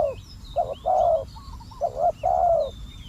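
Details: Spotted dove used as a decoy to attract wild doves, giving low hollow coos in paired phrases, a short note followed by a longer rolling coo, repeated twice. Faint high chirps from other birds sound in the background.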